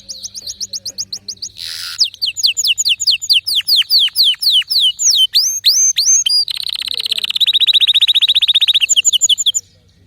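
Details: Canary in full song with special notes: repeated high chips, a long sequence of sweeping slurred whistles, then a rapid, even rolling trill lasting several seconds before stopping.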